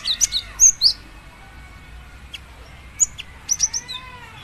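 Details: Bright, piercing chirps from a female cinereous tit calling her male, starting with a loud flurry, then after a pause a single note and a short descending series.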